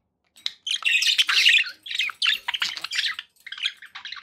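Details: Pet budgies after a quiet start break into loud, dense squawky warbling, continuing in chattering bursts with short breaks.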